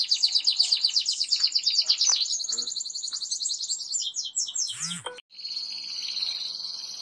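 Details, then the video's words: Canaries of different colours singing: high rolling trills of rapid repeated notes, then a quick descending sweep and a steady high whistled phrase. "تغريد طيور الكناري"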